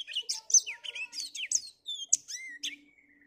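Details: Black-throated canary singing on a cloudy morning: a fast varied twittering song of slurred chirps and short trills, ending in a long thin whistle that slides gently downward.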